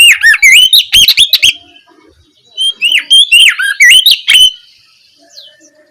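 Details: Oriental magpie-robin delivering ngeplong song as an afternoon lure to spur a singing reply: fast sequences of loud whistles and sharp clicks, a pause, then another rich warbled phrase fading out.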